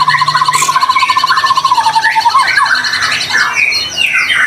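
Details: White-rumped shama singing steadily, meant to trigger other shamas into song. A rapid even trill holds low, then breaks into varied rising and falling whistled phrases.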